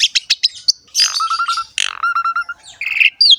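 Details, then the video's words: Asian pied starling singing a varied full song meant to make young birds sing: sharp clicks, a buzzy burst, repeated low steady whistles, a rattle, then a harsh phrase and a falling whistle. "PANCINGAN BURUNG JALAK SUREN SUPER GACOR FULL ISIAN MEWAH"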